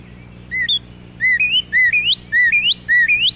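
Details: A male northern cardinal, high in a tall maple in spring, sings its loud whistled "pretty pretty pretty" song: a short level note then a sharply rising slur, repeated four times at a quick pace over a faint hum.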